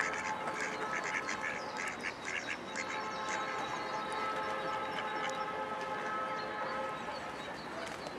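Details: Female park duck Mallard recorded in Amsterdam, Holland, on 03-04-2011, uttering a quick series of harsh quacks around the second second, then quieter calls against a constant humming urban background.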